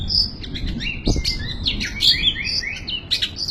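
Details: Long-tailed shrike in 'full isian' song style, a busy stream of bright twittering notes, short rising whistles and quick chips packed closely together over a low steady hum.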